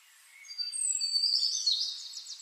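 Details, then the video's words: Splendid fairywren recorded in 2024: thin high whistled notes at varied pitches build into a bright run, ending in a quick series of high, sweeping trilled notes. "Splendid Fairy Wren Bird"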